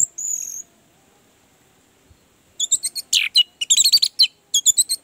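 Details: Orange-headed thrush song played as a lure for a bird that will not sing: one high thin whistle, a pause, then a quick run of varied sharp chirps and trills.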